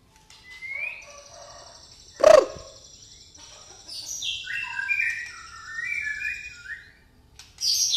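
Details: Pastol white-rumped shama with fighting-sparrow song fill: a thin rising whistle, one loud knock, then a run of bright stepped whistles and chirps ending in a chattering burst.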